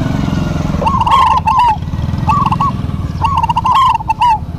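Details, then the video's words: Local zebra doves in duet: three rapid trilled coo phrases, rolling and bubbling, sounding over a steady low engine-like drone and scattered clicks. "DUET PERKUTUT LOKAL GACOR PALING RAME PASTI SEMUA NYAUT"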